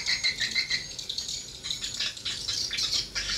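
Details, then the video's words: At a mini swiftlet house, swiftlets reacting to a lure sound make quick rattling chirps, high and clipped, repeated roughly three times a second. "rbw mini walet respon joss"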